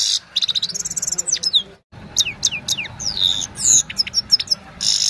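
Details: Himalayan goldfinch song at evening on a mobile phone: a rapid rattling series of high chips, a brief pause, then varied downswept twitters, a drawn-out slurred whistle and buzzy notes.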